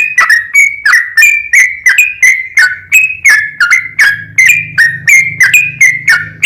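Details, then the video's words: Rapid, sustained song of a yellow-vented bulbul meant to make other bulbuls sing: repeated mellow, bubbly whistles about three per second over a soft low droning hum. "SUARA trucukan gacor ROPEL PANJANG pancingan trucukan agar bunyi"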